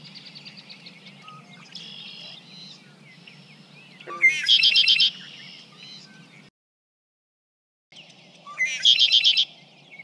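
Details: Red-winged Blackbird recorded from 50 feet away with a parabolic microphone sings twice: a few short introductory notes, then a loud, harsh, buzzy trill lasting about a second, with faint chirps and a low hum underneath.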